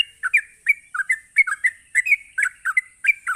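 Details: Sooty-headed bulbul ropelan, a rapid provoking song: short liquid chirps, some slurred downward, repeated roughly three or four per second in an even, bubbly chatter, accompanied by a continuous high electronic-like hum.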